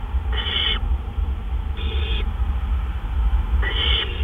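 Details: Great horned owl at 1:43 AM on 10 April 2013, while delivering a gopher, giving three harsh, raspy screeches about every 1.5 seconds, each roughly half a second long, over a steady low rumble.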